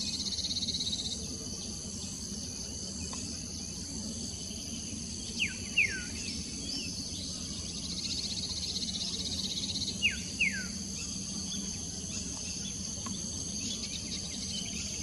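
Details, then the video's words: A common iora gives two pairs of quick, clear, downslurred whistles about five seconds apart, over a steady high-pitched insect chorus. "Common Iora calling"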